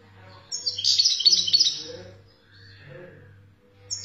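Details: Algerian European goldfinch of wild stock giving a fast, tinkling twittered phrase lasting about a second and a half, then falling quiet, with a steady low hum throughout.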